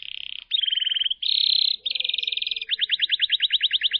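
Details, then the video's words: Lovebird ngekek trill, a long-breath trill used to stimulate other lovebirds: a series of fast rattling trills at slightly shifting pitches, each linked to the next, ending in a slower, pulsing trill of sharp high notes. "PANCINGAN LOVE BIRD NGEKEK DURASI NAPAS PANJANG"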